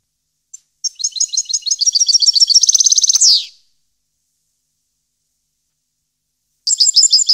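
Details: Singing European goldfinch, 2015: one long phrase of sharp, high chirps accelerating into a rapid, even trill and closing with a buzzy downward slur, then silence before another twittering phrase begins.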